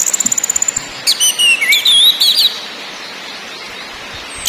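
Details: Lure recording of an orange-headed thrush in ngakrak, ngeplong and nyiul styles for getting caged birds singing: a rapid high rattle opens, followed by loud rising and falling whistles, then quiet.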